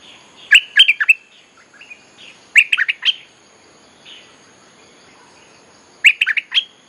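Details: A bulbul recording used to teach young birds and lure wild bulbuls: short bubbly, chattering phrases of three to five quick notes, repeated every two to three seconds with quiet gaps between.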